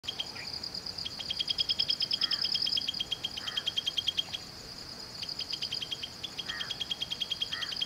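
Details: Jungle prinia at Valley School, Bangalore, Karnataka, India, giving long, rapid trains of thin, high ticking notes, two bursts of about three seconds each, with faint softer notes from another bird behind.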